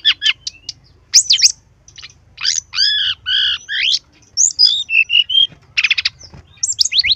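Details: Brown-chested jungle flycatcher in full, lively gacor song, used to prompt other birds to sing. Rapid mix of sharp high chips, stacked arching whistles and a rising warbled run, with a short buzzy rattle near the end.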